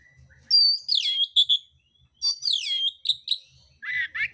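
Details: Oriental magpie-robin in fighting mode, pouring out coarse mimicked phrases: loud, sweeping, descending whistles and rapid buzzy notes in two bursts, a short pause between, then raspier rising phrases at the end; faint low hum underneath.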